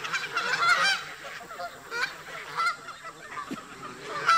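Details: Park geese squabbling with migrating newcomers: bursts of harsh honks around the start, at two seconds and again near the end, separated by quieter background flock murmurs.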